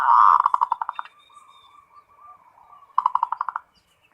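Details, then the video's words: In 'ngerot' style, a local zebra dove opens with a loud rolling coo breaking into rapid stuttered notes, murmurs softly, then repeats a fast pulsed run of coos. "SUARA PERKUTUT FULL NGEROT"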